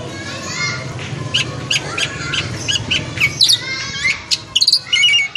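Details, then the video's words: Javan pied starling sings a varied run of sharp chirps, whistled notes and quick trills, high-pitched and uneven, over a faint low hum of background noise. "Jalak Suren/uret, nggaruda rhama gandi"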